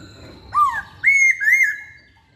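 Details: Masked laughingthrush in active song: a rising, bending whistle, then a long, loud, slightly wavering whistled note that dips and fades.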